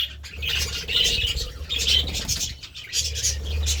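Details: Budgerigars feeding on seeds and vegetables make rapid, scratchy chattering with a few clearer whistled notes, over a low background hum and some wing flutters.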